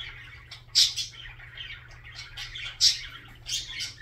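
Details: Budgerigar warbling softly in raspy chatter, punctuated by two loud, sharp squeaky chirps about two seconds apart, with a low background hum.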